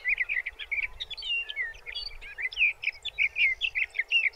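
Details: Sage thrasher singing in June at Arapaho National Wildlife Refuge, Colorado: a fast, continuous run of warbled, jumbled phrases with quick rising and falling notes, delivered without pause over a low steady background hiss.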